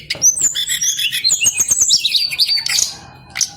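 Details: Male Brown-chested jungle flycatcher in long rolling song, quick high twitters and sliding whistles running together, with soft clicking beneath, fading into quiet at the close.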